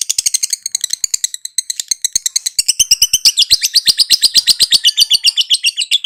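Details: Lovebird's long chattering song: an unbroken, fast series of scratchy, high chirps, some five to seven a second, sustained for six seconds with a brief slower patch.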